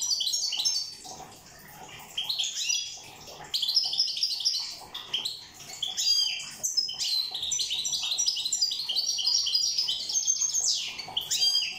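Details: European goldfinch from Corsica, song labelled 'rosse': a long, dense run of bright, tinkling twitters and liquid trills, high and rapid, with brief pauses around the second and third seconds before the jangling phrases resume.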